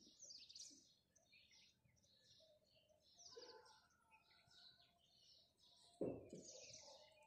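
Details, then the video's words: Morning chirping of house sparrows, a steady stream of short high chirps from several birds, with a brief low thump partway through. "House Sparrow Chirping"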